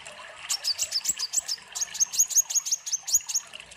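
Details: Olive-backed Sunbird, recorded as a lure for training captive birds, sings vigorously in a fast, high, thin series of sharp chipping notes, about five to six per second, with a faint trickle of water behind.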